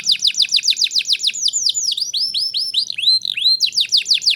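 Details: Singing canary used to get young birds singing: quick high whistles sliding downward, roughly four per second, then a passage of looping arched notes, ending again in rapid falling sweeps.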